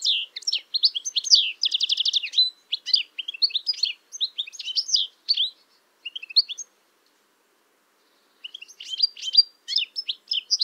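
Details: A male European goldfinch sings in spring, a bright, tinkling song of rapid twitters and liquid trills, its typical chatter.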